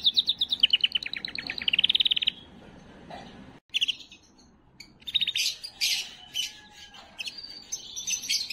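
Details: Canary singing to stimulate females for breeding: a rapid high trill in the first two seconds, then a break and scattered bursts of chirps and faint tones.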